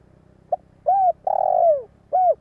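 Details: Spotted dove decoy bird cooing to lure wild doves: a brief soft note, then three mellow hooting coos, the middle one longest and sliding downward, with a faint low hum underneath.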